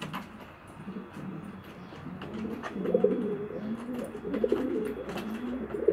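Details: Male pigeon courting a female before mating for the first time, likely indoors: soft, low, rolling coos rising and falling in uneven bursts, with faint clicks and rustling in the background.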